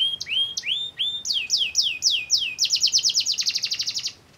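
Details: Canary lure song intended to set other canaries singing: rising whistled notes repeated slowly, then falling swoops, speeding into a rapid rolling trill that stops abruptly.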